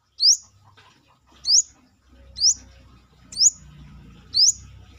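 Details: Brown-throated sunbird, called kolibri kelapa or manggar, singing outside the cage: five evenly spaced loud chirps, each a quick upward sweep to a very high note, about one per second.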